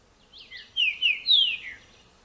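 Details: Green-winged saltator singing in nature: a short phrase of loud, clear descending whistles, two quick slurred notes followed by a longer falling whistle, preceded by softer high chirps.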